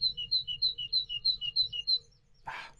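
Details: A male great tit sings outside the nest box while the female lays her first egg at dawn: a bright two-note phrase, high then lower, repeated about eight times in two seconds, followed by a short rustling knock.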